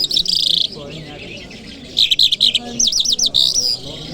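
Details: Kabul lark song recorded on a Friday morning, with a buzzy high phrase, a pause, then quick clipped notes and a fast run of looping whistled trills, with soft low background rumble.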